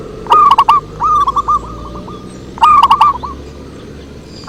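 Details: Lure song of a zebra dove: two bright phrases of rapid, rolling coos, separated by a run of softer, even notes and a short pause.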